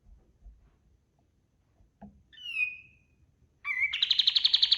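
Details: White-eye master song for training other birds: a soft click, a single drawn-out whistled note, then a short whistle running into a rapid, ringing trill of sharp notes.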